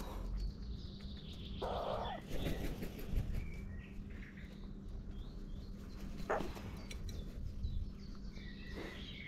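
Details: A family of crows at a feeder; one gives a few harsh, hoarse caws spaced several seconds apart over a steady low hum and outdoor rumble, with faint high chirps in the background.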